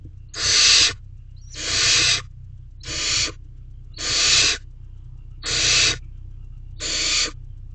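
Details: Barn owl family in an owl box at night, 9:18 pm, 5/7/23, as prey is swallowed whole: six loud, rasping hiss-screeches, each under a second, repeated roughly every 1.3 seconds above a constant low hum.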